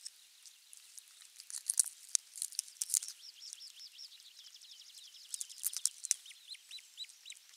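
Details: Osprey at nest camera 3 on 23 June 2020, morning, when a half-kilo crucian carp was brought as the morning fish; high whistled chirps in quick repeated series, with many sharp clicks and rustling nest noises.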